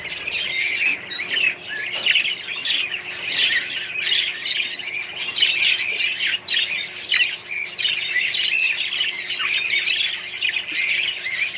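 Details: Budgerigars in a colony kept with other birds; continuous dense chattering, warbling and squawky notes from many birds at once, with no pauses throughout.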